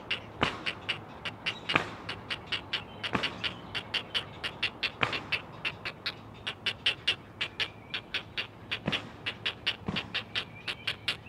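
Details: Great blue heron chicks, four together at a Chesapeake nest watched by a live cam, calling for their mother with rapid, harsh, ticking notes in an unbroken run, several louder snaps punctuating the chatter.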